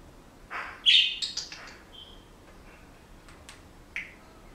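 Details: Pet Senegal parrot indoors, whistling and making noises: a loud harsh squawk, then several quick high whistled notes and a short falling chirp, quiet between notes.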